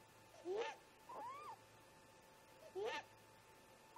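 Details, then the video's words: Great grey owl parents meeting near a snag nest and a camera tree around 04:25 MDT in the early morning, calling to each other: three short mid-pitched upslurred squeals, the middle one a longer arching whistle, over a steady low hum. "Great Gray Owl - Parents Have a Talk"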